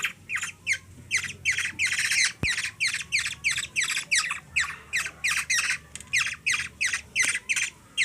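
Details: Hand-fed young black-naped oriole in the Philippines gives insistent hungry begging squawks, harsh and buzzy, about three per second, while a three-year-old girl feeds it; a sharp click is heard once.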